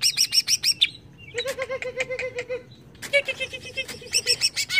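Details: Agitated greater green leafbird excited by a lure: fast series of high ringing notes, then a low repeated chattering run of about a dozen notes, more bright twittering, and a second low rattled run.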